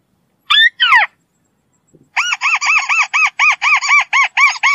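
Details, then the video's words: White-browed crake call: two quick downslurred squeaks, then a fast run of about a dozen nasal, arched chattering notes, roughly four per second. "White browed crake Call"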